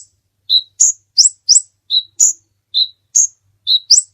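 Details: Vigorously singing sunbird known locally as kolibri ninja, a recording used as a master song for training other birds: sharp, high chirps alternating between a lower clear note and higher twittering ones, about ten in four seconds.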